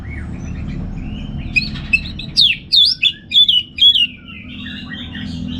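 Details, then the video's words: Orange-headed thrush, a kept bird from Singaraja, Bali, singing a burst of six loud whistled notes with sliding pitch, framed by softer warbled twitters and a faint low hum. "$uara ANIS MERAH Ngeplong"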